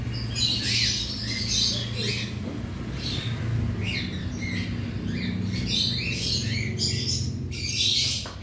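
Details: Colony of roughly 100 caged cockatiels heard during daily aviary cleaning. Repeated bursts of raspy, rising chirps from many birds sound over a steady low mechanical hum.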